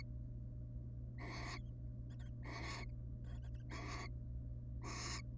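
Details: Barn owl family, wild, resting in a monitored nest box; four drawn-out harsh hisses interspersed with shorter stuttering, clicky rasps between them, all over a constant low hum.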